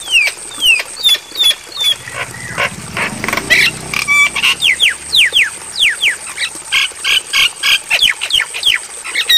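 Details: Night-time training recording of Javan myna: sharp falling whistles, harsh bursts and a bright whistled note, then a long series of quick downward-swept whistles mixed with rasping calls, steady high hiss throughout.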